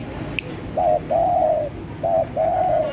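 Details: Vigorous spotted dove cooing for bird luring: a short hollow coo then a long level coo, the pattern heard twice in quick succession, clear above a quiet low background.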